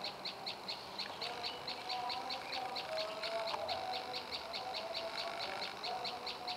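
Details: Olive-backed Tailorbird, known locally as prenjak lumut, delivering rapid, evenly spaced high chipping notes, over two per second, while soft lower whistles and faint background hum carry underneath.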